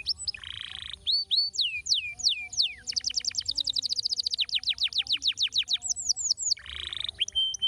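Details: Stimulating canary song for encouraging other canaries to sing. A buzzy burst opens a sequence of descending whistled sweeps, leading into a long fast trill of repeated notes, then more slurred whistles and another buzzy burst.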